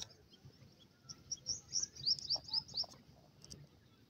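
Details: Grey francolin chicks playing in the grass give thin, high peeping chirps, a quick run of about eight notes in the middle, over a low rumbling background.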